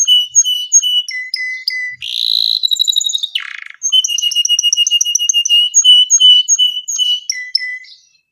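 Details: Canary in full gacor song, suitable for tutoring young canaries: varied fast trills of clear high notes switching pitch, a loud buzzy rolling section midway, then long rapid repeated-note runs tapering off.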